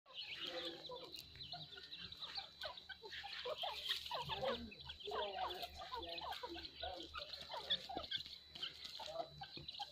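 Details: Grey francolins, a pair, give a busy run of harsh clucks and squeaky chirps, several birds overlapping throughout, over a steady high hiss and low hum.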